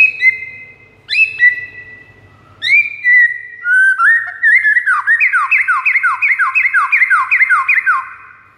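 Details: White-rumped shama song played as a master recording to lure rival shamas. Loud clear whistles, each begun with a sharp upward flick and held level, give way to a fast rhythmic series of falling slurred notes, about two per second.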